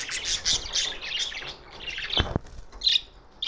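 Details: June 7, 2024 budgerigars in Larkana, Sindh: warbling chirps and squawks early on, a couple of sharp knocking clicks past two seconds, then scattered short calls.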